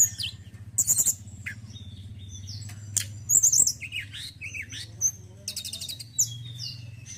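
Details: Male White-browed Shortwing singing scattered high, sharp phrases: brief trills, clipped chips and a short twittering run, with pauses between, over a steady low mechanical hum.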